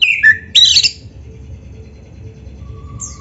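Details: Oriental magpie-robin (kacer) training song for caged birds: one short whistled note followed by a brief chattering burst, then near silence with low hum and a faint high whistle at the end.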